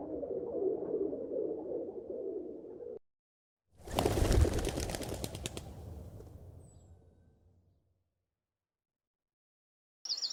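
A pigeon gives low, soft, rolling coos for about three seconds, followed by a loud burst of clapping-like noise that fades out.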